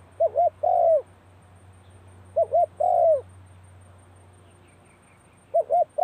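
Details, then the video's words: Spotted dove practising its call at the start of the cold season: three phrases, each a soft low coo of two short notes then a longer drawn-out note that slides downward, spaced about two seconds apart over a faint low hum. "เสียงนกเขาใหญ่ เข้าหน้าหนาวออกซ้อมเจ้าหลิ่วตัน"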